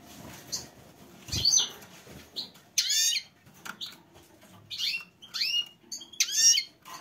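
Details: Female goldfinch calling for a mate: a few quiet chirps, then loud, high, twittering call bursts with upward-sweeping notes, spaced about one to two seconds apart, over a faint low background hum.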